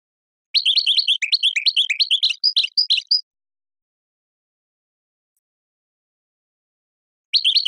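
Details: Goldfinch song on a teaching tape for chicks: nearly three seconds of busy, buzzy high twittering, silence for about four seconds, then the twittering resumes at the very end.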